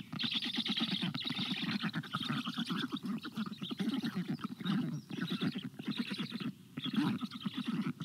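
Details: Black stork nest in Estonia on 26 June 2022 at 13:21, as a parent brings frogs for lunch to the storklets. Continuous rapid rasping and pulsing calls surge and dip, dense and harsh throughout.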